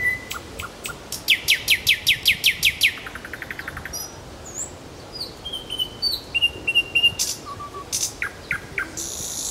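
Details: Nightingale singing in Kuzminki forest park: a fast, evenly spaced run of sharp repeated notes for about two seconds, then a slower pulsed series and scattered high whistles and chirps.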